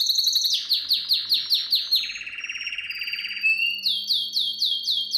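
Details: Canary tutor song for young canaries: a dense run of falling notes, then a long, low, rapid rolling trill, a thin rising whistle, and a closing series of slurred notes about three per second.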